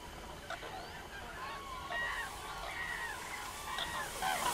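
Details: Common cranes heard at a distance, several rolling, trumpeting calls with clear harmonics overlapping one another over a steady background hiss.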